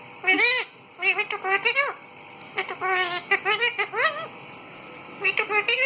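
Rose-ringed parakeet giving quick, voice-like chattering bursts, rising and falling in groups of a few syllables, almost like speech or a child's giggle, indoors.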